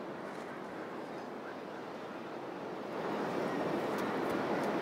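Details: Rushing wind and surf noise that grows louder partway through, with no animal sounds.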